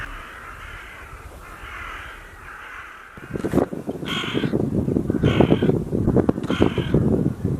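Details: Hooded crow, grey-vested with black tail and strong beak, calling loudly on a winter morning: about four loud, harsh, hoarse caws, roughly one per second, after a soft steady background hum.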